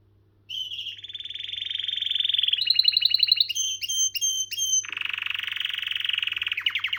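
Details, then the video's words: Canary singing: after a short pause, buzzy rolling trills build up, then sharp ringing repeated whistles, ending in a long lower buzzy roll and a quick trill. "كناري مذهل و تغريدة رائعة / Amazing canary and wonderful tweet"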